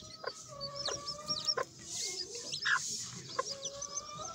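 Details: Sebright chicks peeping in a busy chorus of thin, high, falling notes, alongside a few steady mid-pitched tones and scattered clicking taps.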